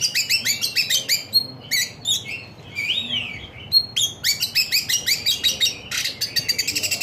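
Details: Pleasant bird song made of fast bursts of sharp high chirps and tweets, repeated in rapid trains, broken by a short warbled phrase with slurred whistles before the chirping resumes.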